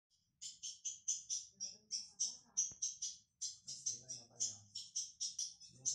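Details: Young ultramarine grosbeak, a caged bird in training: a steady string of short, high, sharp notes, about three per second, with faint low murmuring underneath.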